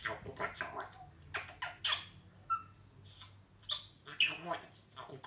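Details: Pet talking grey parrot chattering: short harsh squawks mixed with sharp, clear whistled notes and soft speech-like babbling bursts, scattered irregularly with brief pauses between.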